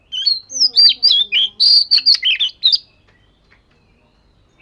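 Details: Oriental magpie-robin singing practice: a fast, varied run of whistled and scratchy notes lasting under three seconds, then quiet with one faint high note at the end.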